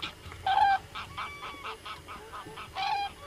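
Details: Flock of many common cranes close by: loud rolling trumpeting calls rich in overtones, repeated in quick pulses throughout with overlapping voices, louder bursts at the start and end.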